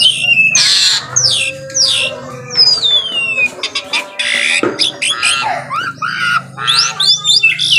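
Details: Asian pied starling in full morning song, mixing long descending whistles, one drawn-out gliding whistle, harsh grating bursts and quick chattering clicks in a varied, irregular sequence, with low hum in the background.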